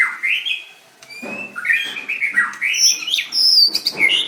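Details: Contest white-rumped shama, 7/25/16, singing vigorously: quick continuous stream of slurred whistles and high ringing chirps, varied and irregular, near two notes per second.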